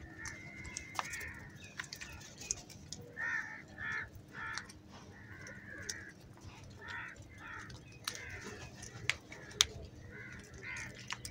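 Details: Crows fighting for food: a run of short, harsh, nasal caws in uneven bursts, roughly two per second, with sharp clicks and a low steady hum behind.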